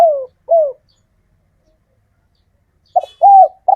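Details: Kept local male spotted dove calling females: two falling coos, a long pause, then a short double note and an arched coo, the next phrase beginning at the end.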